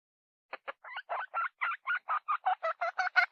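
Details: Hen giving a fast cackling series: about fifteen short, harsh clucks that grow steadily louder, roughly six per second, against silence.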